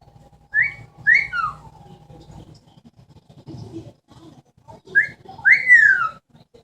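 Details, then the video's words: Pet Amazon parrot kept indoors, known for talking and imitating sounds, giving short rising whistles in two pairs separated by a quiet stretch with a low room hum. "The many sounds of an amazon parrot."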